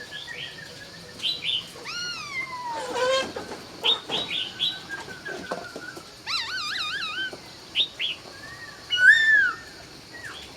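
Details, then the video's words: Laughingthrush singing at dawn in Vietnam: rich, clear whistled phrases, some rising then falling, others wavering in loops, mixed with short chirps and a burst of rattling notes. Other faint chirps are in the background. "Nghe Tiếng Chim Khướu Hót Cực Hay"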